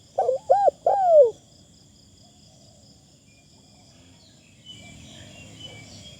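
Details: Decoy Spotted dove with a fine, light-phrased voice delivers a single phrase of two short hooked coos and a longer falling note, followed by quiet hiss and faint insect-like chirping.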